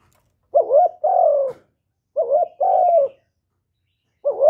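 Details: Vietnamese spotted dove (cu gáy, cu cườm) recorded up close without background noise, calling to rouse decoy birds. Two-part coos repeat about every 1.7 seconds: a brief wavering note, then a drawn-out, slightly falling coo.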